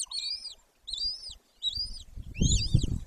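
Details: Golden eagle (Aquila chrysaetos) at its nest in Bucovina, Romanian Carpathians, 18 May 2024, 14:19, breeding pair: four thin, high, arching yelps, each about half a second, repeated roughly every 0.8 seconds over low wind rumble.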